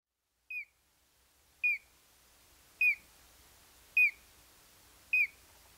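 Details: Collared crescentchest calling: a short, clear whistled note near the upper middle, slightly falling, repeated five times about every 1.1 seconds, with faint low rumble in the background.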